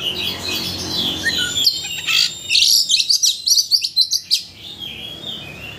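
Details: Recording meant to stir a white-rumped shama into full song: a high warbling phrase, then a quick series of about ten sharp chirps rising and falling, fading into quieter notes over faint background noise.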